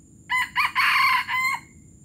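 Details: Junglefowl from Palembang crowing in the gerabas style: a short opening note, a second brief note, then a long, harsh, even-pitched main phrase and a separate closing note, all within about 1.3 seconds over faint low hum.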